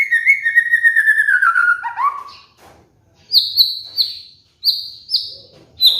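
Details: White-rumped shama (murai batu) training master song for cage birds: a long gently falling whistle, then a series of short high pure whistled notes in quick succession.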